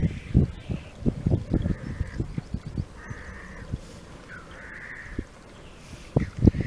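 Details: Black grouse at a lek in Wales in March 2013 give harsh, drawn-out hissing calls every second or so over low, irregular thumping and rumbling.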